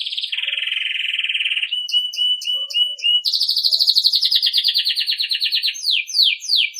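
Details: Belgian canary performing campainha (bell) song for training young birds: a steady rapid rattling trill, short repeated whistled notes, then a bright fast pulsing trill breaking into quick descending slurred notes.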